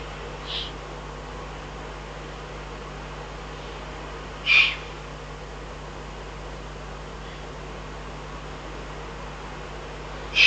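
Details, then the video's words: Recorded 22 June 2012 in the Eifel, a Eurasian eagle-owl gives short, sharp, high hoarse calls spaced several seconds apart, some faint and some clear, with a continuous low hum. "eifel uhu 2012 06 22 activities"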